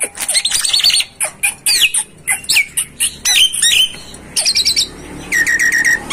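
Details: Javan myna singing for a bird-training tutor recording: loud bursts of harsh chatter and squeaks, swooping whistles, and a closing series of quick repeated buzzy notes.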